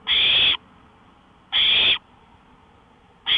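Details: Owl at 1:53 AM on May 5, 2013, on a porch: long, loud rasping hisses of about half a second, repeated every one and a half seconds against a quiet background.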